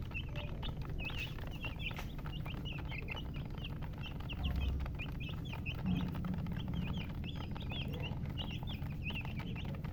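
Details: Chicks keep up a steady chatter of high, short peeps, many overlapping, over a low hum, with a faint low thump and a brief tonal sound midway.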